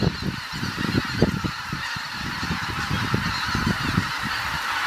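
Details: At dusk on Kabukuri-numa marsh, Japan, a large gathering of geese honks nonstop, countless overlapping calls blending into a steady, rough roar.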